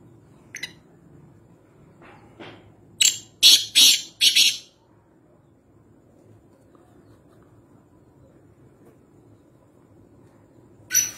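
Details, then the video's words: Wild black francolin at Nawabshah giving one brief rasping phrase of four rough notes in about two seconds, followed by a long quiet stretch, with a couple of thin distant chirps at the start and end. "Kala Teeter Wild (Voice Only) | Black Francolin | Black Partridge"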